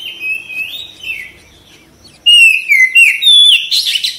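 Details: White-rumped shama kept in a cage: quiet warbled whistles, then a sudden loud series of clear slurred whistles rising in steps and ending in a harsh buzzy burst.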